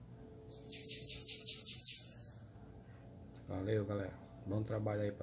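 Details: Bananaquit (sibite) singing in the 'Belga' style: a rapid run of about six high, thin, slurred notes, then quiet, then two short bursts of a man's speech.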